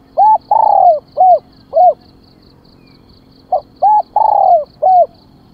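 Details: Spotted dove used as a decoy, calling to lure wild birds: two phrases of deep, hollow coos, each with short notes around a long, drawn-out falling coo. A faint, steady high ticking continues throughout.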